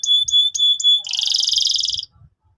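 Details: Canary song used to train young canaries: four clear whistled notes repeated about every quarter second, then a fast rolling trill lasting about a second, ending abruptly.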